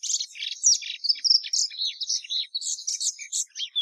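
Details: Plumbeous seedeater song fragment: dense buzzy, scratchy notes and short whistles tightly packed for nearly four seconds, high-pitched and without pauses.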